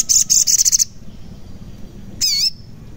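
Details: {'caption': 'Crimson sunbird (sogon) song used to lure lazy or silent birds into singing: a rapid burst of about eight sharp, high buzzy notes, a pause, then one longer high wavering note.'}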